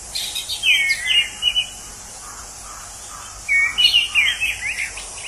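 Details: Orange-headed thrush in the wild, its song likened to a drunk person: two rich warbled phrases of slurred, swooping whistles, each about a second long, parted by a quiet gap, with a constant high insect hiss behind.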